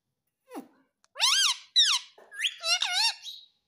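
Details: Ringneck parrot talking, copying "mummy papa": a short squeak, then three loud, nasal, up-and-down slurred syllables in quick succession, recorded indoors.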